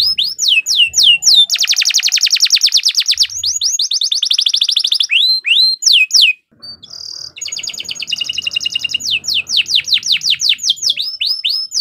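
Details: A vigorous bottle-green canary in contest-ready form sings falling whistled sweeps, then a long rolling buzzy trill. After a brief pause it continues with high trilled phrases and more downward slurs.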